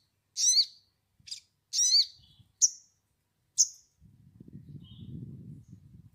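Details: A sogon's lure call for untamed birds: a burst of harsh, buzzy, warbling notes, then single high sharp chirps, followed by a low rumbling noise in the background.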